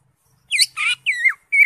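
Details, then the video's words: Greater green leafbird, singing hard in ngentrok style with varied fill notes, gives harsh buzzy squeaks and a wavering slurred whistle, four separate notes over about one second. "CUCAK HIJAU (ijo) NGENTROK JAMBUL GACOR FULL ISIAN"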